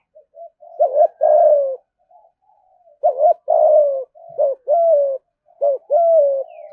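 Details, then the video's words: Spotted dove in 'thúc gù' cooing intended to make wild doves come to the perch and fight. A run of low phrases, each a brief bouncy double note then a drawn-out, descending coo, repeated several times with short pauses. "cu gáy thúc gù giọng hay hạp bổi nghe nhanh gáy nhanh về cội đấu"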